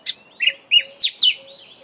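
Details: Grey sunbird calling: five sharp, high chipping notes, each with a slight downward slur, spaced about a quarter second apart, in a quiet setting with a faint steady hum.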